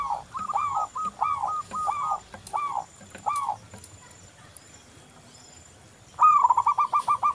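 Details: Local zebra dove lure recording: a string of arched, rolling coo phrases, a quiet gap, then a loud stuttering burst of rapid coo notes.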